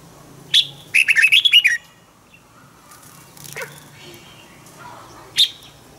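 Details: Red-whiskered bulbul decoy singing in the morning to prompt other bulbuls: one quick run of five or six slurred whistled notes after a sharp chip, then scattered faint calls and a low hum.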